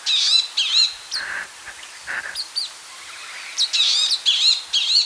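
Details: Palestine sunbird (Cinnyris osea) giving high, rapid chirping phrases of slurred, bouncing notes, loosely repeated, with a couple of softer, lower, muffled sounds between the bursts.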